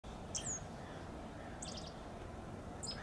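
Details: Dark-eyed junco chirping in a blooming bougainvillea vine: three brief, very high, thin chips spaced over about three seconds, over a steady low background hum.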